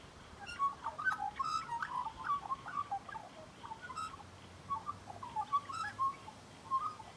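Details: Magpie heard at close quarters, singing gurgling, whistled warbles in lively bursts, with a short lull midway before the fluted phrases resume.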